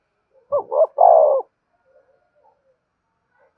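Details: Spotted dove lure call. One complete phrase of two brief rising notes and a longer descending coo, then near silence with faint soft notes, and the next phrase begins at the end.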